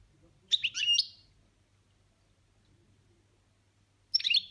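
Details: A European goldfinch kept as a pet delivers its 'boniments' song: a burst of rapid, high, tinkling and buzzy twitters lasting under a second, a long pause, then another quick twittering burst at the end; faint low background hum.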